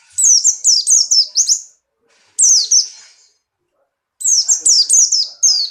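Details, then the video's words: Caged Buxtoni white-eye, birahi and hopping, shooting out song: three bursts of rapid, very high notes that each slide sharply downward, five or six per burst, with near-silent pauses between. "burung pleci Buxtoni birahi kencang loncat indah nembak"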